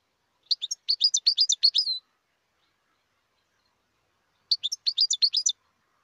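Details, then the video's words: European goldfinch in the wild, two bursts of fast, bright, jingling twitter, the first ending in a drawn-out buzzy note, separated by a few seconds of quiet. "تغريد الحسون البري"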